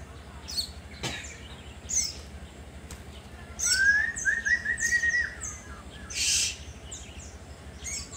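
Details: White-rumped shama singing to provoke rivals: a sustained clear whistle that rises into a rippling trilled phrase lasting about two seconds, among scattered high chirps, a sharp click and a brief hissing burst.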